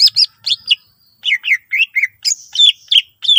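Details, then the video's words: High, varied song of a greater green leafbird, played to prompt other leafbirds to sing: sharp doubled chips, a short pause, then a string of slurred whistled notes sliding downward, followed by rising high notes. "cucak ijo gacor full isian mewah sangat ampuh pancing c ijo lain agar ikutan rajin bunyi"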